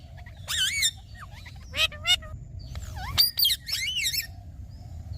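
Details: Green talking parrot sounding scattered squawks and screechy notes with rising and wavering pitch, separated by quiet gaps over faint low background hum.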